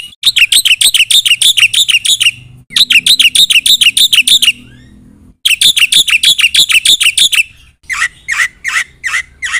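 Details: Black-winged myna, singing hard with a rich filled-in repertoire, delivers three long bursts of rapid, ringing high chirps separated by short breaks, then slower, harsher spaced squawks near the end.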